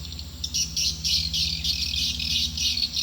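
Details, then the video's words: Swiftlet call played to attract birds to a nesting building: steady, buzzy high chatter rising in intensity after a softer start, with a low throbbing hum behind. "Suara panggill burung walaet"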